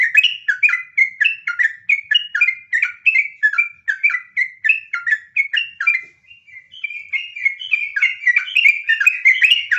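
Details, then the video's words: Trucukan, the sooty-headed bulbul, delivering a long ngropel song: rapid, continuous chains of liquid whistled notes, bubbling and jumping up and down, with one brief pause before the chattering flow resumes. "suara asli burung trucukan, trucuk nggaruda ngropel"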